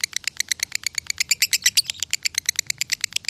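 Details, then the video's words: Rapid konslet song of a lovebird from Salatiga, Indonesia, recorded for masteran training: a continuous stream of short, shrill, high chirps at about five per second, slightly irregular in loudness. "Masteran Lovebird Konslet ASLI"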